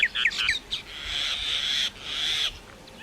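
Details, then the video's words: Common myna song of mixed sounds: a few short sharp notes, then two long harsh, buzzing, wheezy notes separated by a brief break. "Common Myna Bird sound like singing (Making different sound)"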